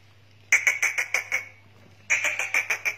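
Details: Black francolin (kala teetar) calling: two bursts of harsh, grating notes repeated rapidly, five or six notes each, separated by a short pause, over a faint steady hum.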